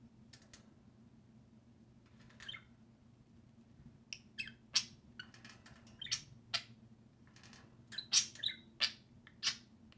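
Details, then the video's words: Two pet budgerigars out of their cage, playing and talking: scattered sharp chirps and scratchy warbled notes, sparse at first and then quicker, over a steady low indoor hum. "Two social parakeets (budgerigars) play and speak"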